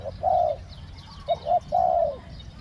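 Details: Cooing spotted dove, used to lure wild doves, in the two-word khu-ang style: a clipped note and a long even hoot, then two short coos and another long, slightly falling hoot.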